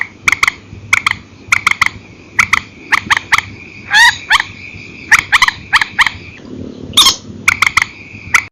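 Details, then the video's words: Night recording, an old file, of a purple swamphen in single and paired calling: fast runs of clipped notes with two louder rising squeals, against a constant faint high hum. "Tiếng trích hay file cũ TRÍCH 29, đánh đơn đánh kẹp ok"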